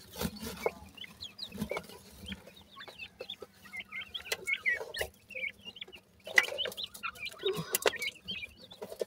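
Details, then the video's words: A group of grey francolin chicks peeping: bright, short chirps come in scattered clusters, some rising and some falling, over a low steady hum and occasional clicks. "grey francolin bird wonderfull chicks,bhura teetar chicks hot voice"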